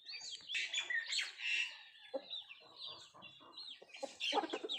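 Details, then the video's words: Nattu kozhi, native country chickens, feeding: bursts of shrill overlapping chirps at the start and end, with a quieter stretch of soft, short clucks and pecking-like taps in between. "Nattu kozhi Food eating and sound effect"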